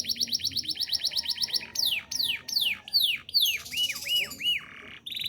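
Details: Lively domestic canary singing in the rolling, shooting style, kept as a master song for teaching other birds: a quick repeated trill, a run of steep descending whistles, then three looping arched notes.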